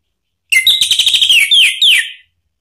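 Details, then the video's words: Orange-headed thrush song meant to provoke another bird into singing: a fast stuttering run of bright notes followed by two or three loud downslurred whistles, in clean surroundings. "isian TAJAM !!! bikin ANIS MERAH EMOSI NYAUT NGEPLONG ¦ PANCINGAN AM"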